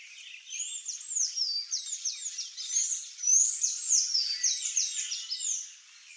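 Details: Sayaca tanager singing a continuous run of high, squeaky, slurred notes, each sliding downward, tumbling along at a brisk pace for about six seconds with no other clear sounds.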